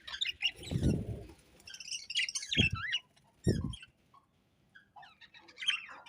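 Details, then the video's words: Budgerigars from a happy colony give scattered warbled chirps and short twittering bursts, separated by quiet gaps and several dull low thuds. "Budgie birds Happy Colony Chirping"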